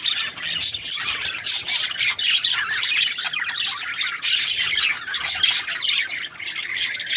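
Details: Several budgerigars keep up a busy chorus of raspy squawks, thin whistles and chirps, the chatter swelling and easing in bursts over about seven seconds.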